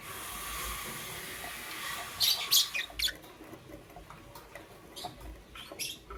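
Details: Lovebirds of the parblue euwing green opaline and green opaline colour forms in the morning: a quick run of sharp, high chirps midway, then scattered shorter chirps over a steady background hiss.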